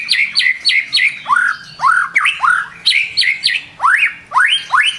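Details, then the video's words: White-rumped shama singing in the morning: fast repeated phrases of sharp downslurred whistles alternating with rising, upswept notes, delivered in a steady bouncy rhythm of about three notes per second. "PANCINGAN PAGI HARI CEPAT NGEPLONG"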